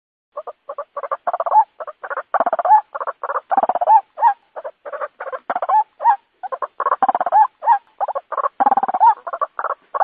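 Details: White-breasted waterhen lure call for night use: dense, rapid, uneven bursts of harsh mid-pitched croaking and gurgling notes, tightly layered and continuous, with brief gaps, in a clean recording without other sounds.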